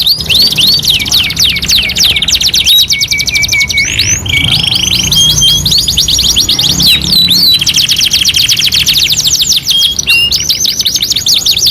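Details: Canary song used for training other canaries: fast rattling trills of repeated high notes alternating with steady whistled tones and rolling phrases, sung nonstop, somewhat electronic-sounding.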